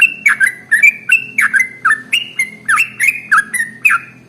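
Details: Sooty-headed bulbul, called trucukan, delivering a long ropel song meant to prompt other birds to sing: clear, slurred whistled notes in quick pairs, each sliding down, spaced about every third of a second.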